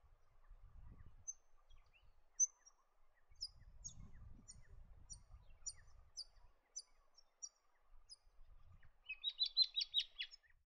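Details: A chestnut-crowned babbler gives faint, high, sharp ticks spaced through most of the recording. A loud burst of rapid chattering chirps follows at the end, over light low rumble.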